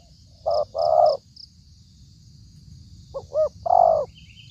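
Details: Spotted dove lure for trapping, very fierce: a short coo and a longer coo, a gap, then two quick clipped notes and a long hollow coo, over steady low-pitched background rumble.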